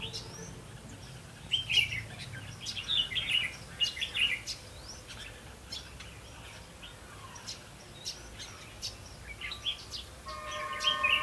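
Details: Decoy red-whiskered bulbul at a trapping site on 8 October 2016 sings clear, looping warbled phrases early and again near the end, separated by a quieter stretch filled with scattered high chirps from other birds.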